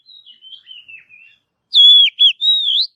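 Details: An Oriental magpie-robin sings in a forest. A string of soft, quiet, slurred whistles falls gently, then after a pause come loud, clear whistles with a sharp dip and a long upward-curving note.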